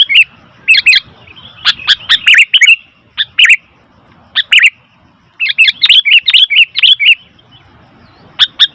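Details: Sooty-headed bulbul giving noisy calls: bursts of bright, chattering notes in clusters, with short gaps between bouts and a dense run of rapid chirps near the end.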